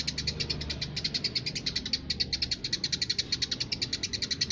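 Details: Eurasian tree sparrow singing vigorously: an unbroken series of fast, bright chirps, about eight per second, steady in pitch, over faint low hum.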